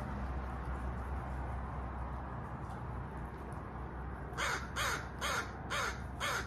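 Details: After a stretch of low rumbling background, a crow bursts into five harsh, rasping caws spaced roughly half a second apart.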